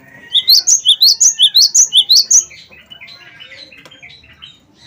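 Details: Cinereous tit (gelatik batu, wingko), a lively singer used as a lure to get other birds singing: a fast series of about ten high, sharp two-note whistles, then softer, scattered twittering fading out.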